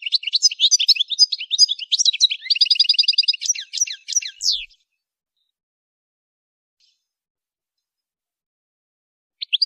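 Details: Goldfinch song for training songbirds: a fast, dense four-second run of liquid twitters and trills, including a rapid buzzy rattle in the middle, then silence and a faint final chirp.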